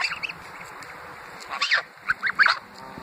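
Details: Several short, harsh honks from Greylag geese crowding around a person next to the Thames at Iffley Lock, Oxford, England, come in a quick run of three or four notes after a quieter start, over constant background hiss.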